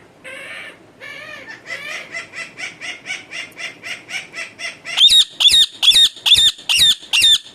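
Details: Pet parrot that its owner says makes only natural sounds, not talking, and is always angry and biting; a fast run of stacked, nasal repeated calls gives way to loud, harsh rasping squawks about twice per second.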